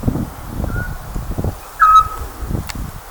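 A Eurasian scops owl gives a single short, clear whistled 'tyoo', mid-pitched and falling slightly, preceded by a fainter note, over low rustling and rumble.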